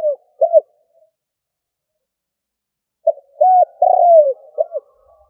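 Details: Spotted dove used as a lure, cooing in the stuttering 'cà lăm' style: two short arched notes, a silence of about two and a half seconds, then a broken series of hooked coos with one longer descending coo.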